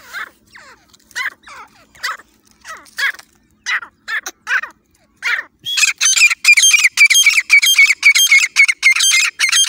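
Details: Partridge calling as a hunting lure in jungle: about five seconds of spaced, rough downslurred notes, then a fast, loud burst of harsh, raspy notes repeated almost twice a second.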